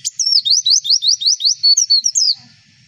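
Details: Javan white-eye, from a recording played so white-eyes answer: about a dozen rapid high rising whistled notes in a steady rhythmic series, followed by a few warbled phrases before fading out.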